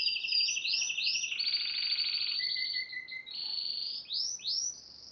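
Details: Yellow Spanish timbrado canary singing a loud, varied song: high rolling trills that switch into a lower buzzy roll, then a steady lower trill, ending in rapid rising swooping notes repeated several times.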